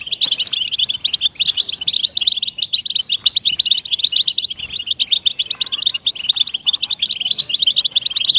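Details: European goldfinch song from a track meant to stimulate captive goldfinches to sing: dense, continuous high twittering of rapid tinkling notes and short buzzy trills, very busy throughout, with a quiet background.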